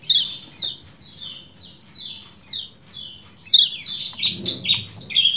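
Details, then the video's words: Kecial kuning (white-eye), 'ciak jos' style: evenly spaced high downslurred 'ciak' notes roughly every half second, then a quicker, louder run of chirps, with a brief low rustle near the end. "MASTERAN AMPUH CIAK JOS KECIAL KUNING DURASI PANJANG"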